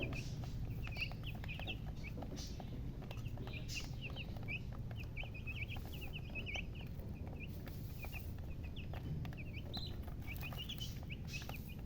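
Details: Young chicks of the domestic chicken chirp in short, high, slightly rising peeps scattered through the recording, set against loud broadband rumbling and rustling noise.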